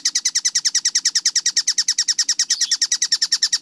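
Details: Rapid collared kingfisher (tengkek buto) chatter, clear and fast for use as a training recording. Grating high notes follow one another evenly at just over three per second in a short burst.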